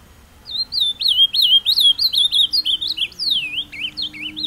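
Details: Captive Ultramarine grosbeak taken to a scenic outdoor spot to sing, giving a fast, rich warble of rising and falling whistled notes, about three per second, over a faint low hum.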